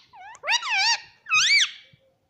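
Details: Talking pet ringneck parrot in a small room, repeating mummy or mitthu: a faint rising squeak, then two loud, harmonic, wavy calls, each about half a second, bending up and down in pitch.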